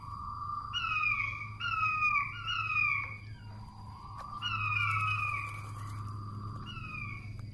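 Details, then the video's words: King quail lure call for trapping quail, softer and more distant: clusters of falling whistled notes with a long low slurred note between, steady humming background and a constant faint high tone. "SUARA PIKAT.!!!! Puyuh Batu"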